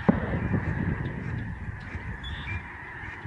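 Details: Massed Lesser Snow Geese flying over the George C. Reifel sanctuary, Canada, in November 2011. A steady honking chorus runs throughout over low wind rumble, with a thump at the start.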